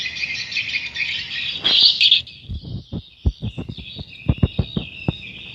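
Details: Swiftlets at a swiftlet house, a dense continuous band of high chirping and twittering calls, with a louder burst near two seconds, over a series of low thumps.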